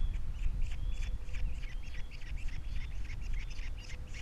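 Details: Osprey at a Captiva nest with three babies, 21 February 2022: continuous hoarse, squeaky chirping notes in quick succession, partly buried in loud low wind noise.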